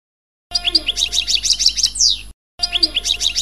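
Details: European goldfinch song of the passades style, a dense twittering of bright high notes closing on a long falling slur. A steady low hum sits underneath, and a second bout starts after a short gap.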